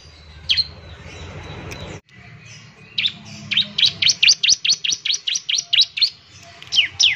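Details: Singing bar-winged prinia meant to spur other birds into song: a loud isolated chirp, then a rapid run of sharp, high, downward-sweeping notes repeated about twice a second, ending in a quick couplet.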